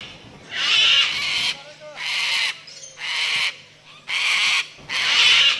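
Triton cockatoo giving five harsh, raspy screeches, each under a second long, repeated about once a second with brief pauses between.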